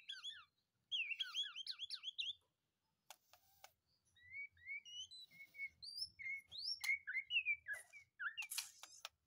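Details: Caged white-rumped shama, taken straight from a breeding cage, singing energetically: a rapid burst of bouncing looped whistles, a pause with clicks, then a busy string of varied rising and falling whistled notes.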